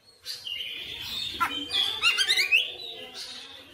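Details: Oriental magpie-robin singing persistently and energetically through its full repertoire: a long, sustained high whistle, then rapid varied chattering and trilled notes, with a brief rising phrase at the end.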